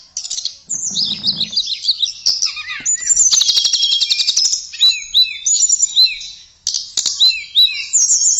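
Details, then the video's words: Tledekan song, loud and lively: dense chattering twitters, a buzzy rapid trill at mid-clip, then repeated hooked whistles, with a brief low rumble early on. "Kicauan Merdu TLEDEKAN Keren Buat Mastro Voice Tledekan Gacor"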